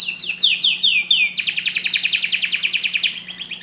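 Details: Canary singing: a run of repeated descending whistled sweeps, then a fast buzzy trill of rapidly repeated notes, ending in a higher steady trill; a faint low steady hum underneath.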